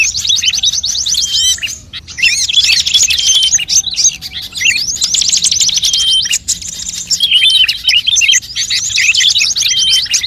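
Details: Calls of many birds assembled to lure birds, featuring fast rattling trills alternating with bright chirps and whistles, several short gaps breaking the otherwise constant chorus.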